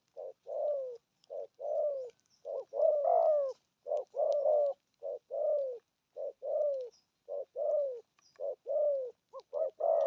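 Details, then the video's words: Spotted dove giving a long run of 'thổ âm' coos: low hollow notes and drawn-out falling coos in close succession, occasionally doubled, with soft clicks behind. "Thổ âm cực phê! thuc gù thúc kèm bài bản"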